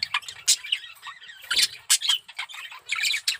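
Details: Male budgerigar in breeding condition producing irregular squawks, clicks and thin whistled notes in short bursts, with a soft low hum in the background.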